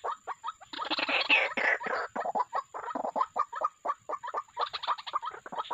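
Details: White-breasted waterhen calls used as a lure in bird trapping: dense, overlapping harsh croaking notes tumbling about four per second, with a louder, thicker burst near the first second and no other clear sounds.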